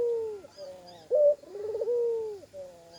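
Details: A spotted dove with an uncommon call that includes added koak notes. A falling coo is followed by a sharp clipped note, a buzzy trill and another long coo, with faint high chirps behind.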